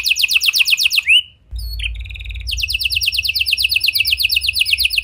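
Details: Canary singing vigorously in a unique style as a lure to make silent canaries respond: a rapid trill ending in a rising slur, a short pause with soft notes, then a long fast buzzy trill.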